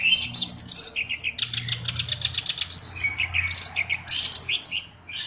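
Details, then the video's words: Continuous song of a black-browed reed warbler, a bird kept as a singing tutor: high, thin chirps and rapid rattling trills alternate with short squeaky phrases, all in quick succession with no gaps. "BURUNG KERAK BASI ALIS HITAM GACOR/MASTERAN KERAK BASI"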